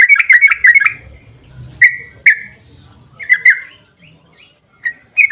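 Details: Yellow-vented bulbul giving a chattering 'ropel panjang' song meant to provoke other bulbuls into replying. A quick burst of liquid whistles is followed by scattered single slurred notes, with a faint low hum underneath.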